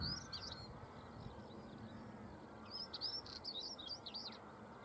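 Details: Early-morning song of a Stonechat on Cavenham Heath, Suffolk, UK, 22 March 2015 at 6:22 am: short, rapid, scratchy warbling phrases, a burst at the opening and another around the third second, against steady low background rumble.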